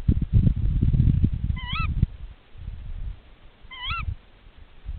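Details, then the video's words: Tawny owl partners calling at a nest during a nest check: two sharp, rising ke-wick calls about two seconds apart, partly masked by heavy low rumbling and handling noise. "Głos puszczyka."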